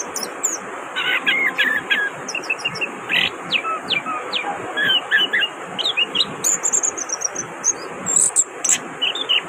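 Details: An orange-headed thrush (Geokichla citrina) sings a lively run of varied whistled and chattering phrases, quick and high, over a steady thin hiss in the background.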